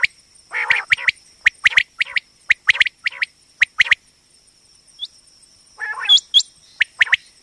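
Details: Female common quail voice used for quail hunting: a rasping burst, then evenly spaced pairs of crisp chips, a lone short whistle, another harsh burst and rising hooked notes, over a steady thin electronic whine.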